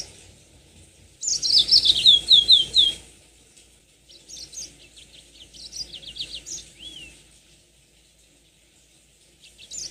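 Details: Yellow-fronted canary, called mozambik, opens with a loud dense burst of rapid high trilled notes, then quieter scattered twittering phrases and a looping whistle before falling silent, with a brief final chirp.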